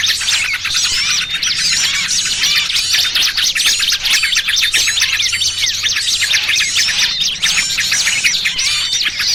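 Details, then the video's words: Small birds calling in a trapping lure mix that combines noisy trucukan with other small species: a constant thick chatter of sharp chirps and fast trills, overlapping voices, with a steady low hum underneath. "Suara Pikat Burung Kecil Paling Ampuh!! trucukan ribut kombinasi BURCIL KEJEPIT"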